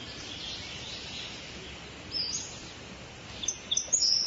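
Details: Birds in a forest: thin high chirps over steady hiss, with a brief burst near the middle and a cluster of sharp, bright notes toward the end.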